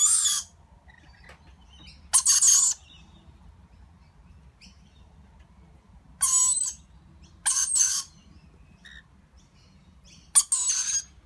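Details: Young lorikeet begging while its parents feed it: a series of short, harsh, hissing rasps in bursts of about half a second, spaced irregularly over eleven seconds, with quiet pauses between.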